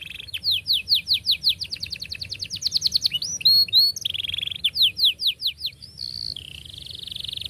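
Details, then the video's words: Canary song meant to teach young canaries: tight rolling series of repeated falling notes, a burst of doubled chirps, more rapid notes and a steady trill at the end. "KENARI GACOR PANJANG cuit cuit Ngerol Rapat Paling Dicari Untuk Pancingan Kenari Paud Belajar Bunyi"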